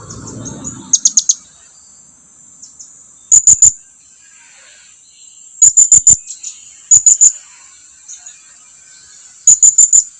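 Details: Blue-crowned hanging parrot calling companions to draw near, giving bursts of three or four piercing, very high-pitched ticking chirps every two to three seconds, with soft high twitters between bursts.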